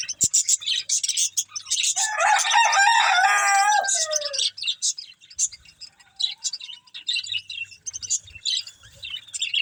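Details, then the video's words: Feeding budgerigars make a loud, harsh, buzzy warbling burst lasting about two seconds amid constant high twittering, followed by scattered chirps and a brief soft whistle. "Beautiful Budgies Enjoying Eating Green Food | Love Birds Chirping Sounds"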